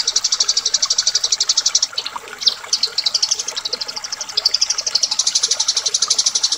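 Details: Eurasian tree sparrows fighting: rapid, high chirps repeated about four per second in long runs, broken midway by a few sharper, scattered notes before the steady chatter resumes.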